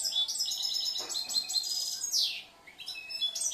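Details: European goldfinch, a young bird from last year noted for changing, mixing and composing its song, delivering rapid twittering, tinkling high notes with a sweeping downward slur midway and brief dips between bursts.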